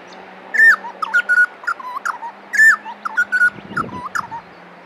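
A butcherbird sings clear, fluty whistled notes, some rising and some falling, repeating a phrase of four to five notes about every two seconds over a faint low hum.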